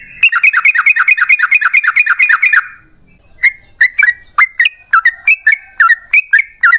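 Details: Yellow-vented bulbul long rapid song, played to draw other bulbuls into singing: a dense rattling series of quick dipping notes for nearly three seconds, then separate crisp slurred chirps about twice a second.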